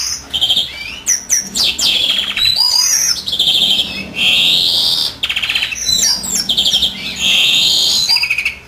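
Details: Singing European greenfinch, its mate incubating: loud continuous song mixing drawn-out nasal buzzes, rapid trills and high twittering phrases, with brief pauses between bursts.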